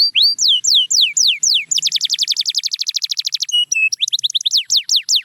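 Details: Song of a canary, used to motivate silent canaries to sing: a few slow descending whistles, then a fast dense rolling trill, two short low whistled notes, and quick rising-falling sweeps.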